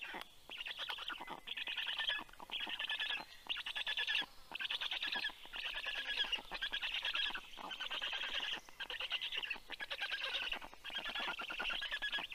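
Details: Storklets of the black stork growl when their parent arrives with fish for all, morning of 11 June 2022 at 9:56 AM; rough pulsed rattling bursts about a second long, repeated roughly once per second with short gaps.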